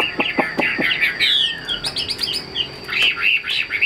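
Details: Caged Chinese hwamei, a tame male kept for display and sold, singing in rapid bursts of bright slurred whistles, with sharp clicking knocks early on and a steady high electronic whine behind.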